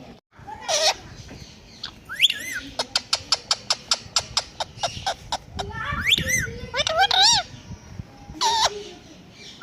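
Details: Talking pet Indian ringneck parrot mimicking a cat: a strained call, a rapid series of clicks, then wavering, arched meow-like cries with rich harmonics, ending in one drawn-out whine.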